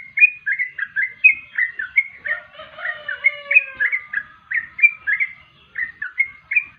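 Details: Yellow-vented bulbul, praised as melodious, sings a lively run of quick bubbly whistled notes, rising and falling, several each second without pause. A lower sliding whistle runs briefly in the middle.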